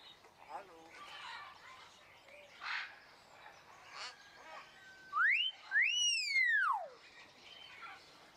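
Crested myna giving a loud, clear whistle that rises, then a long ringing note that arches up and slides steeply down, over faint chatter and distant voices.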